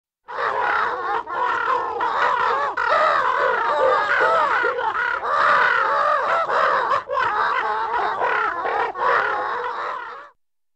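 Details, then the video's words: A medium-sized flock of Northern Gannets cooing and squawking: a dense chorus of harsh, overlapping, grating, mostly mid-pitched calls from many birds at once, continuous with brief dips. "Medium-Sized Flock of Gannets Coo and Squawk"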